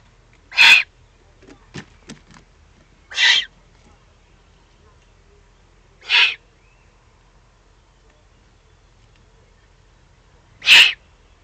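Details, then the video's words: Young Eurasian eagle-owls, excited, recorded in the Eifel, Germany, 21 June 2020: four hoarse hissing rasps spaced a few seconds apart, with a few faint clicks between the first two. "Eifel Uhu, 2020-06-21, aufgeregte Junguhus."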